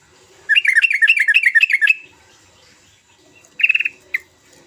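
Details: Energetic sooty-headed bulbul song recorded as a lure for birds that are slow to sing. A fast string of bubbly, rising notes lasts about a second and a half, followed by a short rattling burst and a single note.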